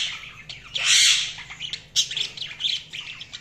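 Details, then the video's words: Budgerigar chirping: a loud harsh squawk near one second, then a run of short scratchy chirps and warbling notes, with faint low hum beneath. "Budgies Soundsq Chirping sound"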